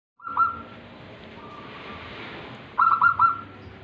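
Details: Tame local zebra dove singing: a rapid rolling burst of mellow notes trailing into a long soft hum, then after a pause another rolled phrase of three quick pulses, over steady low background noise.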